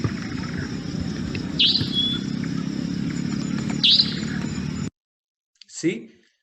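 Savanna Nightjar giving two sharp, high, slightly buzzy notes about two seconds apart over a steady low hum. A brief voice follows after a pause.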